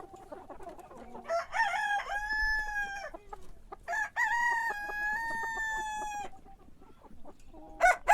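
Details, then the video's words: Roosters crowing in the morning, three long level crows in succession, each opening with stuttering syllables and ending in a sustained harmonic note, with a fourth crow starting at the end. "Sonido de gallo por la mañana // Cock crowing in the morning"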